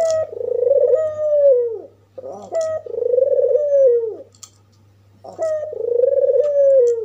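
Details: White red-eyed albino African collared dove coos to stir up rival doves. Three drawn-out, mellow coos follow one another, each held level and then sliding down, with a brief gravelly lead-in and a soft background hum.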